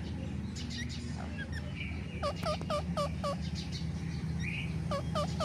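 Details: Green and white ringneck parrots utter a rapid series of paired, clipped squeaky notes in several short runs, among faint chatter and a steady low-pitched background rumble.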